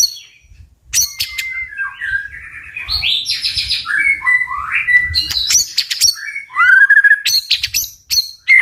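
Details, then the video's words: White-rumped shama song in the forceful 'tạch' manner for provoking fighting birds: short whistled notes and slurred phrases alternating with crisp snapping clicks, varied and fast throughout. "Chòe lửa tạch cực mạnh để kích chim đấu"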